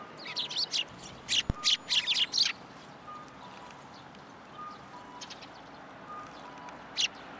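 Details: Sparrows arriving at a post to be fed at a Tenmangu shrine, 7 January 2023; a quick series of bright chirps in the first seconds, a sharp click, then quieter scattered chirps and one more near the end.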